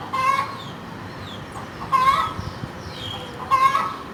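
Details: Hen cackling: three loud, harsh, nasal bursts, about one and a half seconds apart, each with a sharp start and short trailing notes. Quieter background between calls.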